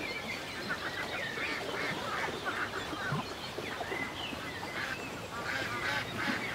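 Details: Ducks by a lake in the country give rough, nasal quacks in uneven bursts, several overlapping, over a steady wash of water and outdoor background noise.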